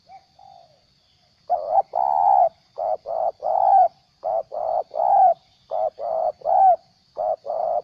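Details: Spotted dove decoy for trapping, still keen while moulting its tail, in ordinary 'gagap' stuttering coo: after a soft start, a rapid uneven series of deep rounded coos in groups of two and three.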